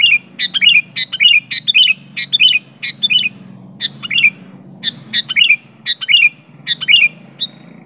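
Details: Sooty-headed bulbul challenging a rival, giving quick run-together chirpy phrases, each a couple of liquid notes dipping downward, delivered almost continuously with short gaps, a soft low hum underneath.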